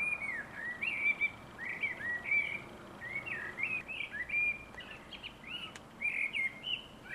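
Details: Common blackbird singing: a continuous run of fluted, warbling phrases, each a rich whistle with quick slurred notes and fluctuating volume, delivered almost without pause over a soft background hiss.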